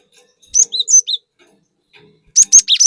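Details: ['Two quick phrases from a vocal cinereous tit used to agitate other birds, each a string of bright, ringing whistled notes, the second faster and denser.']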